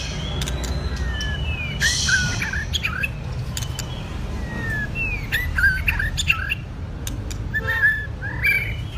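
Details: White-rumped shama, a two-season bird in song training: a run of varied whistled slurs and short clicks, mid-pitched, delivered in irregular bursts over a low rumbling background.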